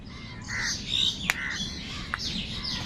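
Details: Crow giving harsh, nasal calls in short bursts, followed by a sharp click and scattered higher chirps from other birds over a low background rumble.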